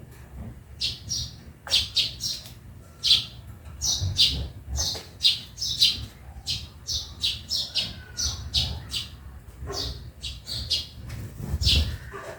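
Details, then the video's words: Sparrow chirping in a backyard: a busy run of short, bright chirps, one or two every second, with a low steady hum underneath. "Honi ng maya sa bakuran/Relaxing sounds of sparrow"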